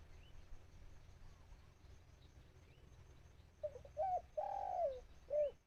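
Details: A dove used as a trapping decoy calls toward wild birds. After several quiet seconds of background rumble, a burst of clipped coos, a long falling note and a final short coo.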